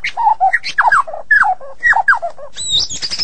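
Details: White-rumped shama singing a varied run of short slurred notes that drop and twist in mid pitch, several similar phrases in a row, closing with a high thin whistled flourish.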